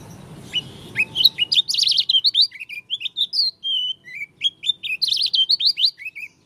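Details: Dakun Oriental white-eye from Lombok with an unusual song: a lively series of high twittering and slurred whistled notes, some rising and falling, running steadily for about five seconds after faint low noise.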